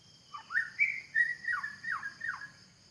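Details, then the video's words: In the forest, a white-rumped shama gives a string of sweet whistled notes, some held, others dropping steeply, about five phrases, with a steady insect buzz underneath. "Suara burung murai batu di hutan"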